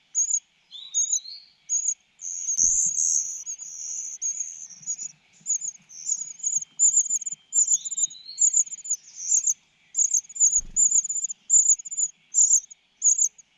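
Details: Persistent begging from a cuckoo chick being fed: a long, nearly unbroken run of shrill, high rasping notes, with two short rising whistled notes and a couple of soft low knocks.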